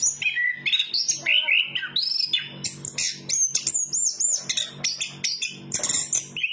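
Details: Chestnut-capped thrush (anis kembang) singing a fast, varied run of clear whistled notes and buzzy trills, jumping between high and middle pitches with barely a pause. A steady low hum runs underneath.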